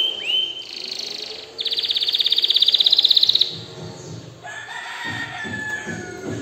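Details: An excited canary sings: a short upslurred whistle, then a loud, even buzzy trill of rapid pulses lasting nearly two seconds, followed by softer mixed notes and low background thuds.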